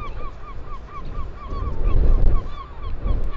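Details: Northern royal albatross in New Zealand, recorded 15 September 2020: short arched honking notes repeated rapidly, about four a second, over steady low wind rumble.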